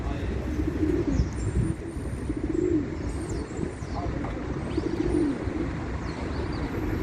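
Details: Pigeons cooing as a group: three low, bubbling coo phrases spaced a second or two apart, over a dull rumbling background with faint high bird chirps.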